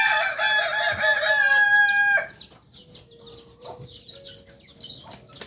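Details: Kokok Balenggek singing chicken from a farm in Solok city, Indonesia. The clip opens with the loud, buzzy tail of a crow that ends around two seconds in. Afterward, scattered high chirps of small birds continue.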